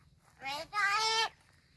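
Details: Talking crow at Gargaon, Palghar, mimics human speech with two drawn-out, harmonic voiced syllables, the second longer and steadier, over a quiet background.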